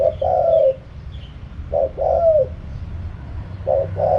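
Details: Wild-style ('kharom pa') cooing of a spotted dove: three phrases, each a brief stuttered note then a drawn-out falling coo, repeated roughly every 1.7 seconds against a steady low hum.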